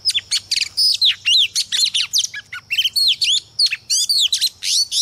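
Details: Oriental magpie-robin hen used to provoke cock birds, pouring out a fast, varied run of high whistles, trills and downslurred notes with barely any pauses.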